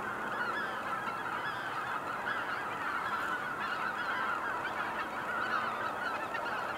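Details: Steady massed honking of cackling geese at Kejonuma: many high, nasal yelps blending into an unbroken clamour from start to finish, with no other clear sounds.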